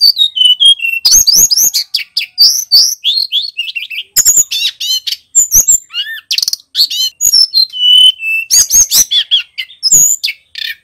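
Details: Male bar-winged prinia singing loudly: a fast, unbroken run of varied high chirps, whistled slurs and sharp clicking notes, many sweeping up or down, with barely a pause between phrases.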